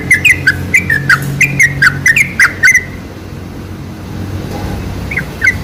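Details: Sooty-headed bulbul song used as a lure to prompt bulbuls to sing: about three seconds of quick, bubbly, warbled notes, then a near-silent stretch with low background hum and one last pair of notes.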